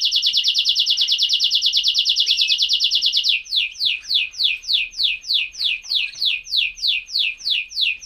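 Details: A Greek canary sings a fast, high, buzzing trill for about three seconds, then shifts to slower swooping whistled notes, about two each second.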